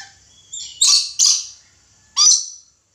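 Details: Caged red lory calling in a small room: a short run of loud, harsh, buzzy screeches, two close together then a sharp final shriek, with quiet between.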